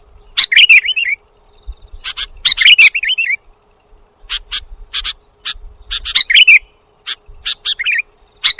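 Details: Lure recording of sooty-headed bulbul: bursts of bright chirps ending in quick down-slurred, warbling notes, repeated about every two seconds between silent gaps, with a steady faint background hum.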